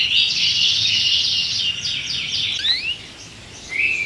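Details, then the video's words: An excited canary inside a cage gives a dense, high buzzy trill, then a pair of rising slurred whistles after a short pause. "كناري هائج داخل القفص A raging canary in the cage"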